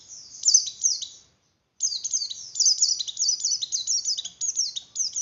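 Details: Javan grey-throated white-eye song used to stimulate breeding condition in other white-eyes; rapid high twittering phrases of repeated downslurred notes, a brief pause, then a longer dense run of chattering trills.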